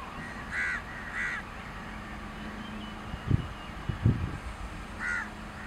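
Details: Long-tailed shrike perched on a branch in grassland, watched from a parked car during a long singing performance; short harsh, buzzy notes come twice near the start and once at the end, with low thuds in between.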